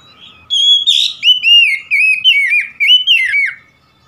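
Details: Loud oriental magpie-robin song of fluty, varied whistles: slurred notes sweeping up and down, delivered in quick succession for about three seconds against an almost silent background.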